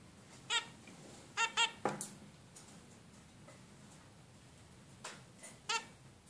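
A female zebra finch gives about seven short, nasal, toy-trumpet calls in loose bursts, some in quick pairs, with one falling note; a quiet indoor hiss behind.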